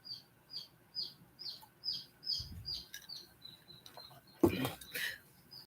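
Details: Chicken chicks hatching, some still unhatched in the egg, peep in high, thin, slightly falling notes about twice a second on a hot, stormy evening; a voice and a brief thump break in near the end.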